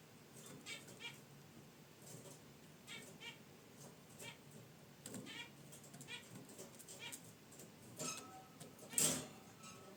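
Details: Zebra finches kept as pets, relaxing by their wicker nest basket, make soft nasal chirps roughly once a second, and a sharper click and rustle follow near the end.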